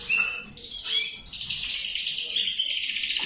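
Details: Song of a male canary opening with a few separate whistled chirps, then breaking into a long unbroken high trill, buzzy and rapidly rolling, held steadily to the end.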